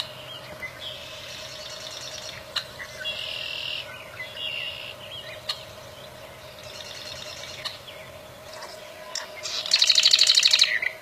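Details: Wild bar-winged prinia with spaced phrases of buzzy, high chirping, ending in a loud, fast rattling trill, over constant background hum and a few sharp clicks.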